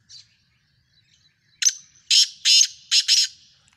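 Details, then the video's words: Black francolin (Kala Tetar) in Sindh, Pakistan: a faint early note, then a loud harsh phrase of about five grating, rasping notes over two seconds, with a short gap before the last pair; otherwise quiet. "Sindhi Kala Tetar Awaz, Black Francolin Partridge Pakistan"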